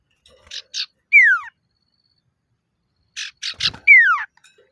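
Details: A male common iora, in full voice, calls to draw out rivals. Two phrases each pair rasping chatter notes with a bright whistle that falls smoothly from high to low, separated by a couple of seconds of silence.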